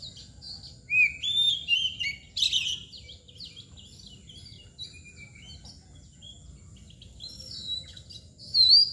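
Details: Oriental magpie-robin (kacer) in mbagong display gives whistled and twittering phrases at the start, then near-quiet, ending with a bright upswept whistle.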